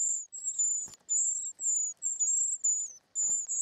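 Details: Short-toed treecreeper nestlings being fed: loud, very high, thin drawn-out squeals in bursts of about half a second, slightly falling at the ends, separated by brief gaps with a soft thump.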